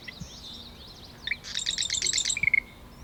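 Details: Male marsh wren singing near its nest at a cattail pond in Taquanyah Conservation Area near Cayuga, Ontario: thin scratchy notes, then a fast rattling buzzy trill ending in a few sharp chips.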